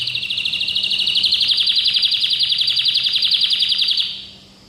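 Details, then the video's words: Orange domestic canary in training, singing a bright metallic trill: one rapid, even run of repeated notes lasting about four seconds, then falling silent. "Best Orange Canary singing voice - Domestic canary bird"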